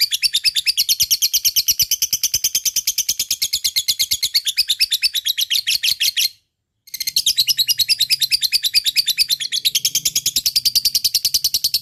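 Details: Long ngekek chatter of a fighter lovebird, played to coax reluctant lovebirds into singing: fast, regular, shrill chirps in a steady stream, cut by a brief silence near the middle, then resuming at the same pace.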